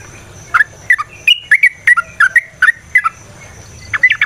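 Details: Yellow-vented bulbul in energetic rapid varied song, played as a lure to get other bulbuls singing: short bright whistled notes, rising and falling, in quick uneven bursts with brief pauses and a faint low hum behind.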